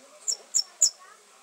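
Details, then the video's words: Red fody giving three thin, very high, sharp chips, evenly spaced about a quarter-second apart, over a faint low background murmur. "Red Fody Singing"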